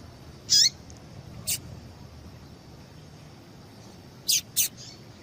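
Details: Female yellow-bellied seedeater calling to excite a male into song: four short, high, sharp chirps spaced irregularly, each a brief burst with a lower downward-curving tail, over faint steady background hiss.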